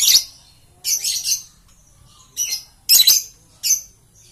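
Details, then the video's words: Green lovebird producing sharp, high squawks and buzzy chirp clusters, each burst lasting a fraction of a second, spaced about a second apart. "Love Bird Green Series"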